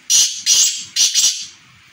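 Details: Black francolin calling: a run of four loud, harsh, grating notes with a hissy, buzzy quality. They come in close succession with a short gap midway, the last two nearly joined, over a quiet background.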